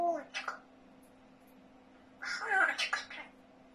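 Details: Pet grey parrot talking indoors, producing two bursts of clear speech-like syllables in Russian, a brief word at the start and a longer phrase after a pause, against a steady low household hum.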